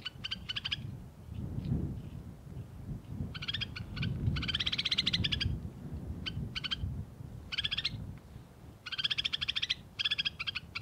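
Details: Snowfinch giving rapid chattering bursts of short harsh chirps, some runs lasting about a second, clustered and irregular, against continuous low-pitched background rumble.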